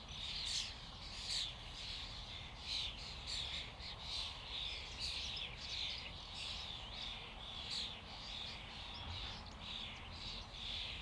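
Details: A flock of common starlings giving a dense, continuous chatter of overlapping whistles, clicks and rasping notes, with brighter whistled accents roughly every half second to second over a steady noisy background.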